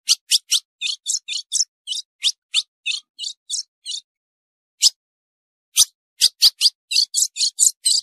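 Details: Female ultramarine grosbeak (azulão) calling, a sound said to excite males; quick series of short, sharp, high chip notes, several per second, with a brief pause before another burst of chips.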